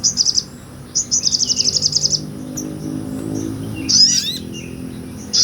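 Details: Sunbird recorded singing in its ngobra style, used as a tutor song for training songbirds: rapid, very high buzzy trills in short bursts, one long run lasting about a second, a brief sharp twitter later, over a low steady hum.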